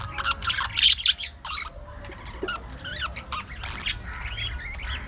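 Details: Budgerigars in an aviary colony, warbling chatter of rising and falling squeaks and short squawks, loud at first, then quieter twisting notes.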